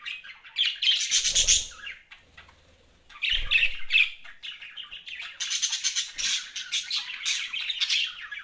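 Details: Pet budgies chirping, loud buzzy squawks and warbles at first with a couple of low thumps, then a dense run of rapid, scratchy chatter.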